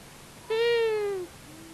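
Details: At a common buzzard nest in Tiszavasvári, Hungary, where a male and female long-eared owl visit on March 23, 2022, one long, harmonically rich, mewing note sags slightly in pitch over roughly three quarters of a second, with faint hiss around it.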